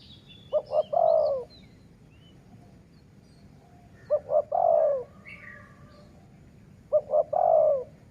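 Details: Decoy dove used to lure wild doves repeats its cooing phrase three times, about every three seconds. Each phrase is two quick low coos and then a long hoarse coo falling away. Small birds twitter faintly between phrases.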